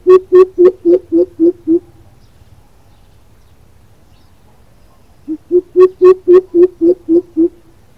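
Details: Greater coucal calling: a run of seven deep, booming hoots at roughly four per second, a pause of several seconds, then a second run of nine matching low hoots.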